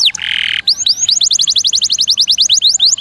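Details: Canary song from a master recording for training songbirds, featuring long rolls and shot variations: a brief buzzy harsh section, then a rapid run of high rising-falling notes at roughly nine per second.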